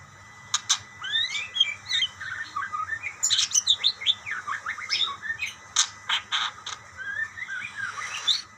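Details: Budgerigars chattering back and forth: a steady run of quick high chirps, short rising and falling warbled notes, and a few sharp clicks, with a low hum in the background.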